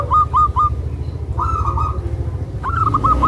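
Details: Tame zebra dove used to lure other zebra doves, uttering short rolling coo phrases over a steady low mechanical hum.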